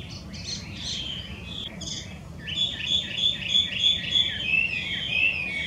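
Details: Chinese hwamei, wild and invasive in Japan, opens with softer scattered notes, then launches into bright ringing whistles repeated about three times a second, growing louder toward the end.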